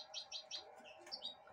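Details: Caged goldfinch hybrid taking broccoli from a hand; three quick bright chirps, then a pause and a couple more high twitters, with low room hum.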